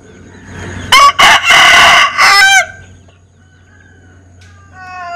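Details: Unusual crow of a Linh Kê chicken: loud broken opening syllables followed by a long harsh sustained note ending in a falling tail, then quiet with a faint distant crow starting at the end.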